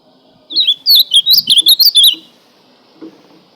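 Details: Azulão, the ultramarine grosbeak, delivering one rapid burst of about nine bright, looping whistles that tumble up and down for roughly a second and a half, followed by a soft low note and quiet.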